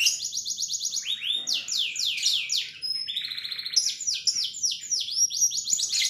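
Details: Intense canary song from a caged bird, made of fast successive trills of down-swept notes and rolling phrases that change tempo several times, sung almost without pause.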